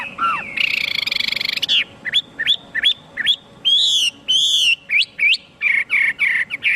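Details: Chinese hwamei singing: a buzzy trilled phrase, then sharp upslurred whistles and longer arched notes in irregular series, with a low hum throughout.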